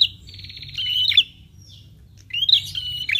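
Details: Prinia lure call that prompts prinias to reply: a long buzzy, rattling trill with sharp rising chirps, a pause, then a second buzzy phrase with upslurred notes, over steady low hum.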